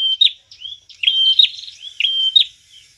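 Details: Eager prinia song used to lure birds: quick high whistles with buzzy flicks, about one a second, with softer twittering notes between them.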